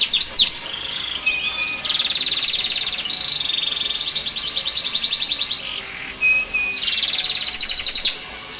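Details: Canary singing a song that imitates the Bar-winged prinia: loud high trilled phrases with rapid buzzy rattles repeated in runs of one to two seconds, mixed with short whistled notes and chirps, clean close recording.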